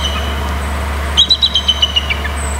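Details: Eagle giving a short burst of about eight sharp, high chipping notes in quick succession, forming a brief trill, over a constant low hum and faint traffic-like rumble.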